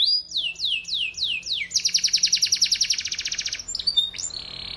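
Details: Canary song made of five quick downward-sweeping whistles followed by a long, very fast rolling trill of repeated notes that gradually slows, then a few sharp chips and a steady high whistle.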